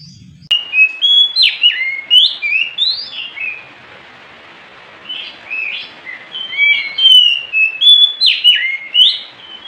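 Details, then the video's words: Varied Oriental magpie-robin song at night, made of quick phrases of sharp, swooping chirps and whistles in two bursts with a short pause between, over a faint hiss. "JUARA NYA KACER GACOR pasti ikut bunyi Kacer males stress macet bisu langsung gacor"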